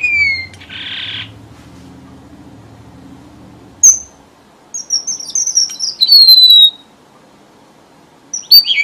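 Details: Red avadavat lure song, used by bird keepers to trap birds: a falling high whistle and brief buzzy rasp, a low hum, then a sharp click followed by several thin descending whistles and a final chirp.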